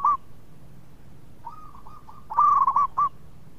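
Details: Melodious local zebra dove, kept to call other doves into song, opens with one loud coo, then a soft run of short level notes and a louder cluster of quick coos near the end.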